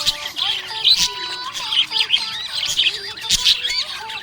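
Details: Happy pet budgerigar chirping: busy, warbled high chirps and squeaky twitters tumbling over one another, set against a song with steady tones playing loudly underneath.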